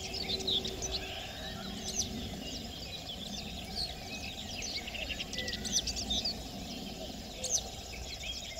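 Citrine wagtail giving short, high chirping calls over a steady low rumble, with other birds calling throughout.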